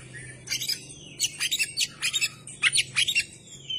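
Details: Oriental magpie-robin song with tail open: a series of harsh, scratchy high chattering bursts in clusters, over a steady low hum in the background.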